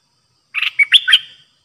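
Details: Caged streak-eared bulbul serving as a new decoy, pure song phrase recorded 6 May 2022: a burst of four quick, gurgling chirps, some with a whistled slur between them.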